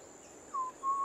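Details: Undulated tinamou giving two clear, mellow whistled notes in quick succession, each a short steady tone, the second slightly longer, over faint background hiss.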